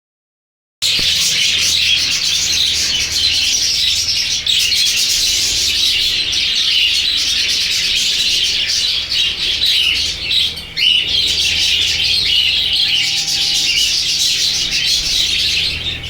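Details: A dense, continuous chorus of high chirps and warbles from many budgerigars calling at once at a budgie breeding ground.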